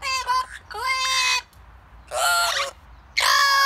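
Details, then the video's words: Blue-fronted Amazon parrot singing outdoors: four loud, harsh, rich-toned squawking phrases, some rising and falling like drawn-out talking, with short quiet gaps between them. "Mon perroquet amazone fait son show"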